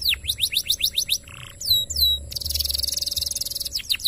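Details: Canary song for training other birds: fast series of descending whistled sweeps, a brief buzzy note, swooping high whistles, then a rapid buzzing trill ending in more falling sweeps; steady low hum beneath.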